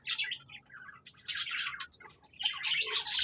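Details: Budgerigars singing on 26 January 2024: rapid, high, scratchy chirps and squeaky twitters tumble together in short bursts, briefly pausing around the middle before the busy warble resumes.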